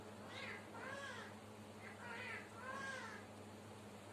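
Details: Sri Lankan talking parrot that counts and sings gives three drawn-out, voice-like syllables with bending harmonics, spaced about a second apart, against a constant low background hum.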